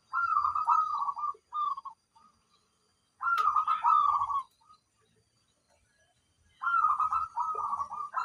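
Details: Zebra dove, a local bird described as very loud: three bursts of mellow, bubbling cooing phrases around one pitch, separated by pauses of a second or more, with a faint click and low background rumble.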